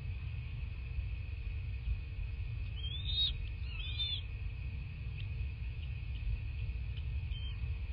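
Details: Bald eagle at a nest in southwest Florida, recorded by a nest camera on 14 March 2024 at about 9:20 in the morning: a brief cluster of high, looping chittering notes in the middle, then quiet apart from a constant hum and low noise.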